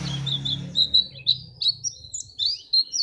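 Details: White-eye (pleci) from Pacitan, played to stir other birds into singing for contests: thin, high chirps and short whistled slurs come in quick bursts, while a low hum sits under the opening second.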